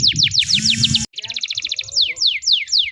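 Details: Canary song meant to coax young canaries that are learning to sing: fast series of descending whistled sweeps, a dense harmonic rattle, then repeated falling notes over a low background hum.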